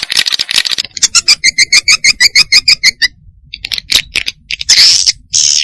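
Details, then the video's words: Swiftlet response call in SP Cina style: a steady train of about a dozen evenly spaced, ringing clicks, then scattered chirps and two loud, drawn-out buzzy screeches at the end. "SUARA PANGGIL RESPON||SUARA WALET RESPON"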